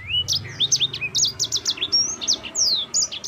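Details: Yellow-fronted canary, a champion singer, pours out its clear rolling song: rising whistle, then rapid sharp chirps and long falling slurs in unbroken succession, faint hum underneath.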